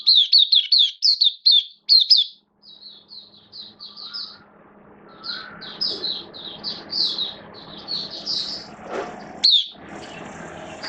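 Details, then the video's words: Oriental white-eye, a caged hobby bird from Singapore, starting its song on 11 September 2022 with form a little down: a quick burst of sharp high twitters, then softer rapid chattering phrases, about two notes per second. "Mata Puteh Kitaro Buka Sing"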